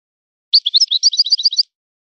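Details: A single brief goldfinch phrase, 'son of the forest' style: about a dozen quick, sweet chirps of even rhythm, clean and isolated.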